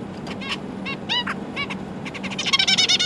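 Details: Zebra finch family kept as pets, parents feeding three juveniles and three newly fledged chicks, recorded 12 December 2022: a few separate nasal, stacked calls, then a rapid, dense burst of high chattering notes toward the end over a steady low hum.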